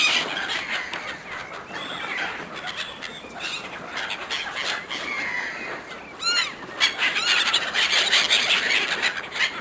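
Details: A crowd of seagulls competing for food offered by hand, calling in noisy overlapping bursts; a distinct arched squawk stands out midway, followed by a dense high chatter of many birds.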